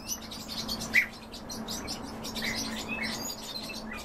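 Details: European bee-eater calls while feeding, a few scattered short chirps and one sharper note near the first second, over a low steady background drone.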